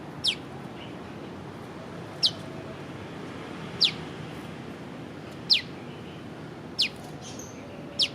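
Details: A prenjak lumut prinia repeats its piw piw piw call, filmed with a Leica V-Lux: six sharp downslurred piw notes, one every one to two seconds, steady and loud above faint background noise.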